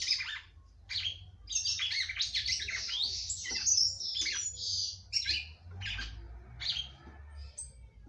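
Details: Female red-cowled cardinal, kept by a breeder, singing a lot to excite her male; choppy bursts of high chirps and warbled trills, separated by short pauses, over a low background hum.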